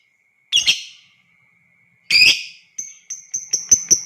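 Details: Lovebird, calling to provoke other lovebirds into long ngekek: two harsh shrieks, then a quickening run of six sharp high ticks that build in loudness, over a faint steady whine.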